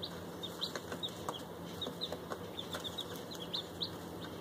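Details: ['Newly bought bantam chicks a day old, Silkies and fluffy bantams together with one week-old bird, giving soft, high cheeping peeps every fraction of a second over constant background hum and light scuffling.']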